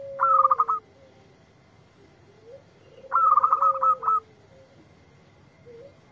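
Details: Local zebra dove replying to a lure recording: two bursts of rapid, stuttering cooing notes about three seconds apart, each mixed with a lower sustained tone that dips at the close, with quiet gaps between.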